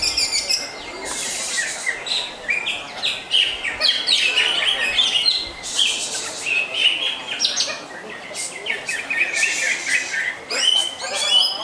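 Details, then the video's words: Greater green leafbird, a hobby bird, singing a rich, continuous song: dense high chattering and twittering phrases with quick whistled notes and buzzy bursts, delivered without pause and rising and falling in loudness. "Lagu Mewah Cucak Hijau"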